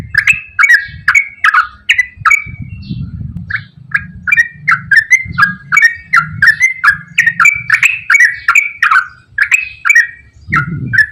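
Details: Straw-headed bulbul in continuous, long, rapid song, used to prompt reluctant birds to sing: loud fluting two-part notes repeated about twice a second with hardly a pause, over a low rumbling background.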